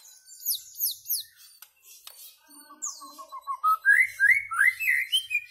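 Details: White-rumped shama singing: three loud, sharply descending high whistles, then a run of quick lower notes rising step by step into bright, upslurred phrases repeated about three times a second.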